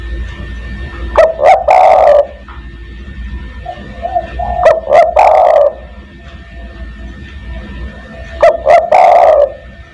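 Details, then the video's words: Spotted dove (derkuku) giving a call to draw in companions: three repeated phrases, each opening with a few sharp clicks and short notes, then a long, low, rough coo, about every three and a half seconds. "burung DERKUKU tekukur master gacor kuk 1 sangat mewah untuk memanggil teman"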